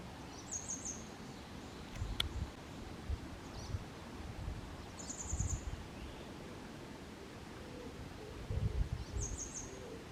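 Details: Grey wagtail singing in Kotoura, Tottori Prefecture, Japan, on 22 May 2023, recorded hand-held with a Canon SX740HS camera: three short, very high trills of rapidly repeated notes, about four seconds apart, over rustling and low rumble.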